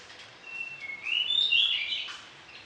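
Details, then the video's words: Orange-headed thrush singing a varied phrase, kept for training other birds in the morning and evening. A soft opening whistle leads into a louder run of twisting, fluty notes that rise and fall, then stop abruptly. "ANIS KEMBANG GACOR DOOOR, VARIASI ISIAN"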